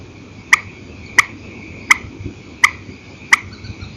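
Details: Purple swamphen at night in an old recording, single-note calling: one sharp clipped note about every two-thirds of a second, six in all, over a faint steady high tone.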